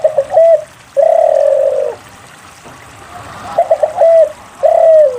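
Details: Lure recording of a spotted dove singing steadily to prompt other doves to call: a long level coo, a pause, then a burst of short staccato notes ending in a sustained, downward-sliding coo.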